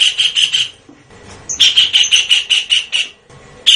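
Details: Blue-eared kingfisher call used as a lure: high, thin, piercing notes in two series, first four quick notes, then after a pause about nine evenly spaced notes, with one more note at the end.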